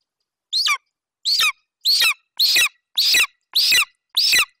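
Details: Young male golden eagle at a Bucovina nest on 27 July 2021, standing over a partial Eurasian hare brought in by its mother. Seven shrill, high calls, each sliding sharply downward, evenly spaced about every 0.6 seconds.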